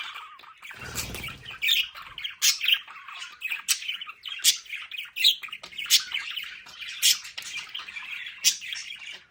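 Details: Several budgerigars kept at home in a play area, warbling and squawking without pause: a dense mix of scratchy, high chirps and sharp squeaks, with a brief low rustle near the start.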